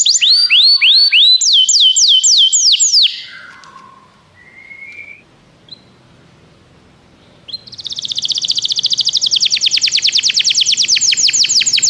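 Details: Canary song used to encourage a pet canary to sing: quick rolling tours of looping whistled notes, a few softer scattered notes during a near-silent pause, then a long, dense, buzzy high trill of very rapid repeated notes.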